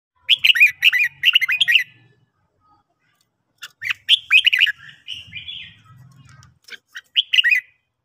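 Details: Red-whiskered bulbul singing in the morning for song training: bursts of quick, warbling, chirpy notes in two clusters separated by a pause, with a faint low rumble under the later phrases.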